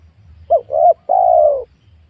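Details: At a small oil palm planting during luring of wild spotted doves, one cooing phrase: short hooted note, a wavering second note, then a long steady coo sloping downward; low background murmur.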